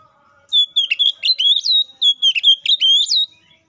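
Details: Oriental magpie-robin song played to lure a rival into singing: a continuous stream of piercing high whistles, quick rising and falling slurs in tight repeated phrases lasting nearly three seconds.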